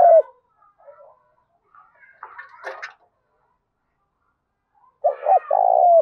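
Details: Spotted dove, 'thúc đấu' contest calling in 'thổ pha đồng' voice style. Short soft clicks and a brief noisy rustle first, then one loud low coo phrase: a quick double note and a long, level, falling-tailed coo.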